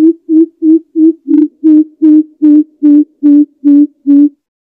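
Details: Old wild greater coucal in Vietnam calling its flock, used as a lure call: a steady series of twelve deep, hollow hoots, each about a quarter second long, repeated roughly every third of a second, loud and otherwise clean.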